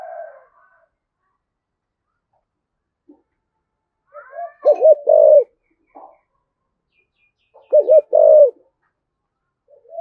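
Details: Spotted dove giving its coo to stir doves into cooing: two strong phrases of paired hooting notes, separated by about three seconds of near silence, with faint soft notes at the start and end.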